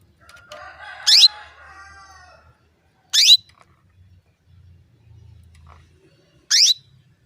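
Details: Female canary giving her call to encourage males to sing: three loud, brief, rising chirps at uneven gaps of two to three seconds over near silence, with a soft harmonic warble after the first.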